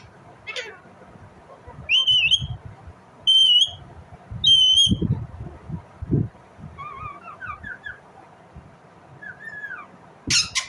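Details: Indian ringneck parrot calling with three clear, strident, level screeches about a second apart. Softer, descending chatter notes follow. Dull thumps sound in the background.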